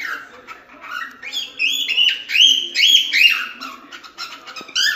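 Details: Cockatiel warble: loud, continuous run of gliding whistled notes that step up and down, with chirps between them, ending in a sudden louder burst.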